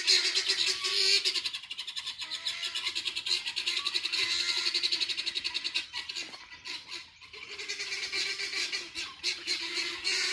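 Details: Helmeted guineafowl in a tree, heard every morning at waking, giving harsh, rasping chatter in rapid, uneven bursts that go on without pause.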